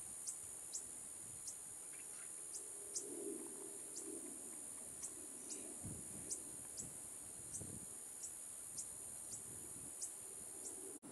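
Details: Juvenile fork-tailed sunbird (Aethopyga christinae) in Hong Kong gives thin, very high chips, about two each second, over a steady high insect drone and faint low rumble.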